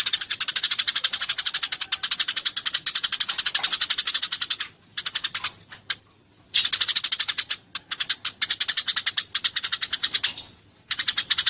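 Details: Nearly continuous, rapid, high-pitched chattering from a fighting Eurasian tree sparrow, dozens of sharp chirps pouring out with only a few short breaks across eleven seconds.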